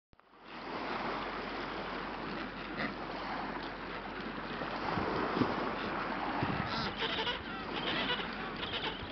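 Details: A dense, nonstop din from a big group of Adélie penguins on the beach at Brown Bluff, Antarctica: many harsh, bleating brays and squawks overlap into a steady chorus, with low wind or surf rumbling beneath.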